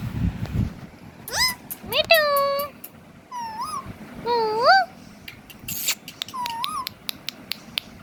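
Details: Ringneck talking parrot, a singing, dancing pet, utters rising and wavy speech-like phrases with rich overtones. A sharp noisy burst and scattered clicking follow.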